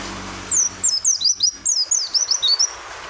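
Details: Oriental white-eye song used as a training recording for captive birds, mixed with rain sound and pauses: a rapid run of high, thin, sharply descending whistled notes, about a dozen in quick succession.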